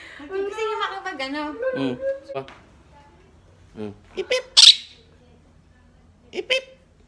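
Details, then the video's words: A blue Quaker parrot chats to its friends. It gives a run of wobbly, speech-like babble, then a few clicks and one piercing high squawk, with quiet gaps between. "Blue Quaker Parrot Love Talking to its Friends"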